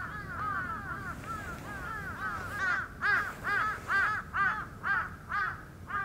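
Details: Endangered red-crowned cranes giving a dense chorus of arched, bugling notes, steady at first, then loud paired pulses about every half second toward the end.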